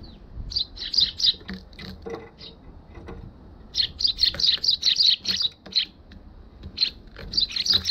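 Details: Balcony visit by Eurasian tree sparrows, 1 December 2021, GoPro HERO6; lively chirping in dense runs of short, bright notes, several birds calling over one another in bursts with brief gaps.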